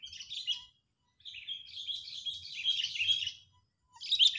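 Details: Sooty-headed bulbul, agitated, played as a lure for bird trapping: a short harsh chatter, a pause, then a long rasping, buzzy run of notes and a final loud burst.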